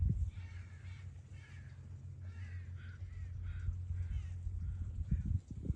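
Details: Crows cawing in the background beside the Chilkoot River in Haines, Alaska, in August, drawn to roadkill. A run of harsh, hoarse caws, about eight, comes in quick bursts over a steady low rumble of wind or river.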